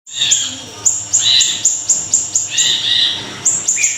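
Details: Small siri-siri singing energetically in rapid bursts, used as a lure and tutor recording for cage birds: very high, sharp whistled notes repeated about every third of a second, mixed with lower twittering chirps.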